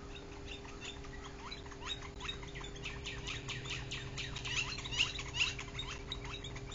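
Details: A chatty trio of Northern Flickers visiting a Bald Eagle nest in summer, giving many short chirping calls in rapid, uneven series, growing louder toward the end, over a steady low hum.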